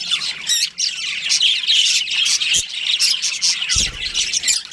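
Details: Colony budgerigars with a breeding pair chirping busily, high twittering and short whistled notes layered over constant chatter, with two low knocks partway through.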